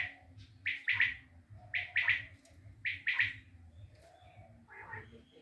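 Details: Three clear, high triple-pulsed phrases from a common quail in Tajikistan, about one second apart, followed by a softer, hoarse trailing note over a steady low hum.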